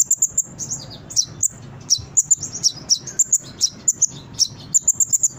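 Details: High, piercing brown-throated sunbird song recorded for training captive birds to sing quickly. Crisp chirped notes and short twitters follow one another in a fast, steady stream over a quiet low hum.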